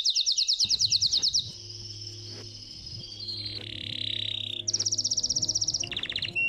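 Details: Belgian canary singing a fast pulsed trill, long level whistled tones stepping downward, then another rapid high trill and a brief lower warble, with faint music in the background.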